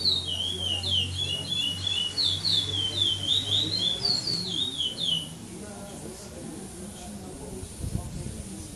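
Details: A competing brown curió, the chestnut-bellied seed finch, second-placed pardo in a 2014 Maranhão praia clássico tournament, pours out rapid zigzagging high whistles for about five seconds before stopping. A steady low hum, then quieter room noise and a thump.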